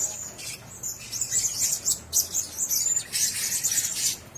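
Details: Caged Blue-crowned hanging parrots twitter continuously in thin, piercing high squeaks and rapid chirps, rising into a denser burst near the end, over faint low background hiss.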